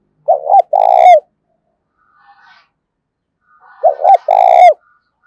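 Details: Decoy spotted dove's daily challenge cooing, aimed at wild doves, in the 'thổ sấm' voice style. Two low phrases about 3.5 seconds apart, each a short hoot and a long vibrating coo, with faint bird chatter between them.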